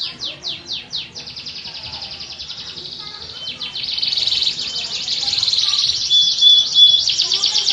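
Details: Canary singing a long run of fast, bright, rolling trills that swell louder midway, with faint tonal background sounds underneath.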